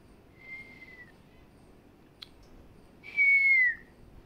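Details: Pet African grey parrot gives two clear, slightly falling whistles, the second louder and longer, with a faint click between them.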